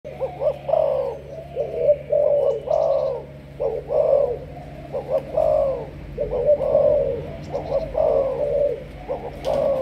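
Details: Malaysian spotted dove, a 'sấm thổ' style bird raised for decoy training, cooing in repeated mellow low phrases, each a short pickup note then longer hoarse coos, about eight phrases over ten seconds, with faint background hum.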